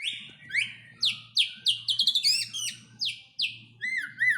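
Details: White-rumped shama from Aceh singing a rich varied phrase: high whistled notes, rapid slurred trills and sharp rising and falling sweeps, delivered in quick bursts with brief gaps.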